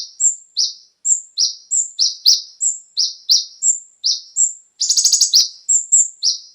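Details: Konin, brown-throated sunbird, singing a lure song meant to stimulate captive birds: paired high thin chirps, a flat whistle then a falling note, repeated steadily, with a brief rapid buzzy trill near the end.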